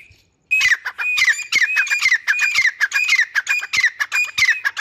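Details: After a brief hush, a caged grey francolin pair breaks into loud, rapid, rasping calls with high whistled tops, repeated steadily to the end.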